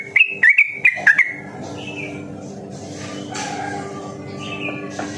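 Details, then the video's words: Yellow-vented bulbul used as a lure to get other birds singing; a quick burst of four bright, bubbling notes, then a quieter stretch with faint distant chirps. "suara burung trucukan masteran harian cepat ropel dan gacor"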